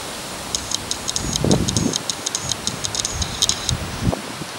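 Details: Black-faced bunting (Emberiza spodocephala) in a park on 27 December, having come down close, giving thin, high tsip calls in quick irregular series over low rustling and distant rumble.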